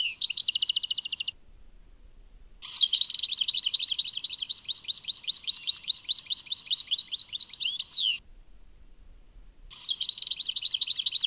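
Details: European goldfinch from Tadmait in long bursts of song: dense, fast liquid twitters and trills separated by short pauses, high and bright, with a quiet background between phrases.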